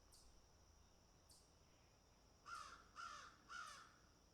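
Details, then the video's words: Crows picking and eating; after a quiet stretch with faint ticks, three loud rasping caws follow in quick succession, roughly half a second apart. "Crows Picking and Eating - Sound Effect"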